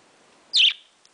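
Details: A single quick, piercing chirp from a young male pet parakeet during its morning chatter, high-pitched and sliding down at the end, background otherwise still.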